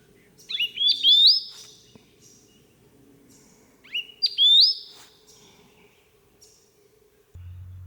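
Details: A male Southern Scrub Robin, a couple of hours outside Melbourne in Victoria, Australia, perches on a cut-off log and gives two brief phrases of sweet, high whistles that climb in quick steps, about three seconds apart, over a faint low hum and a closing thump.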